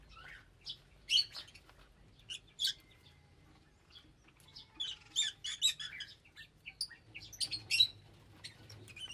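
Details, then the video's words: Several bursts of shrill, rapid lovebird chirping separated by brief pauses, the notes sharp, high and overlapping, over a faint continuous low hum. "Love Birds Nature Sound"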